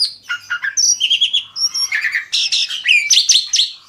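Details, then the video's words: Asian pied starling song, meant to lure other birds to join in: continuous jumble of squeaky chirps, wavering whistles and grating notes, growing busier and louder toward the end. "Jalak suren ini PINTAR memikat burung lain AGAR IKUT GACOR"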